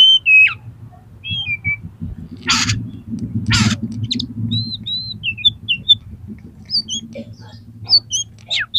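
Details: Highly aroused oriental magpie-robin singing in fighting mode to trigger tail-spreading in other birds: varied clear whistles and slurred notes broken by two long harsh rasping bursts, over a low rumbling background.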